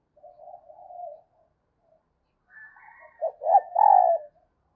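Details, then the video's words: Female dove calling to stimulate males: a soft, low cooing phrase lasting about a second, a pause, then a louder run of deep coos ending in a held, throaty note, with a faint higher tone above. "Tiếng chim Cu Mái Kích Trống Hiệu Quả"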